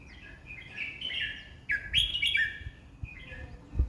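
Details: Red-whiskered bulbul singing 20 phrases per minute. Continuous liquid whistles slide up and down, peaking in a loud burst midway, with occasional low thumps in the background.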